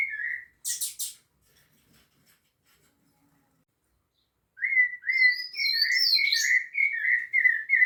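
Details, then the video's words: At Piedade, a rufous-bellied thrush sings a whistled note and a few sharp chips, falls silent for several seconds, then delivers a steady series of clear, slightly slurred whistles with higher trills above. "SABIÁ LARANJEIRA canto"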